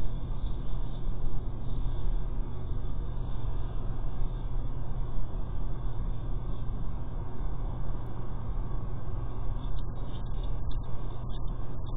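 Steady low rumble of wind or distant traffic with no animal calls.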